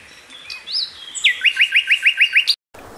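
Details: Common Nightingale gives a thin rising whistle and a long level note, then a run of about eight loud, swooping repeated notes at a steady pace, ending with a sharp upward flick before a sudden cut.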